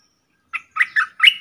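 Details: Streak-eared bulbul decoy bird calling wild birds from its cage; four quick, scratchy chirps, the last one rising and trailing off, in an otherwise quiet setting.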